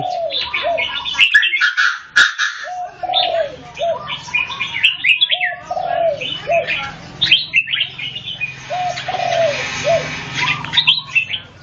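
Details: Red-whiskered bulbul singing in competition with another bird: bright chirpy phrases and quick warbles overlap with lower, drawn-out whistled notes that slide downward, in a busy chorus of several birds with a faint low hum.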